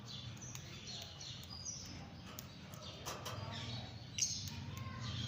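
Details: Fischer's lovebird (Agapornis fischeri), chatter.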